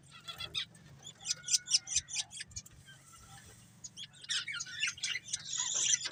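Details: A breeding pair of budgerigars: a run of crisp, evenly spaced clicking chirps, a short pause, then rising busy warbling chatter growing louder toward the end, faint hum underneath.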